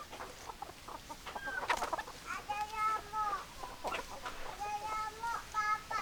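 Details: Hens cluck in a steady, uneven patter of short notes, with several longer, nasal, wavering calls rising and falling between them, over low background murmur.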